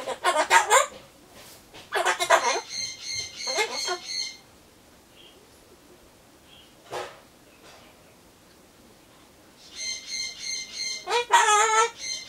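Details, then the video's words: Pet Solomons corella indoors, talking to itself while waiting for pumpkin, in a mood for phrases like bye-bye, I'm off, see you. Loud harsh, raspy bursts with ringing harmonic tones, separated by quiet pauses and one short squawk. "ソロモンオウムたろちゃん カボチャを待ってる間のひとり言"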